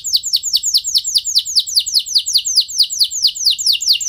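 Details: Canary song used to stimulate other canaries to sing long rolls: a rapid train of high descending sweeps, about ten per second, repeated evenly throughout with a faint low hum beneath.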